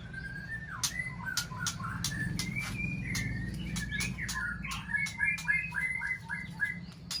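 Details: Aceh white-rumped shama singing a long, varied run of clear whistled notes with rising and falling slurs, quickening into busy chattering phrases toward the end, over a steady low hum.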